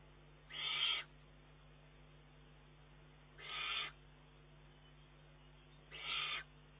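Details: Juvenile Eurasian eagle-owl calling for food from its mother on 19 June 2011; three drawn-out hoarse hisses, separated by gaps of about two and a half to three seconds.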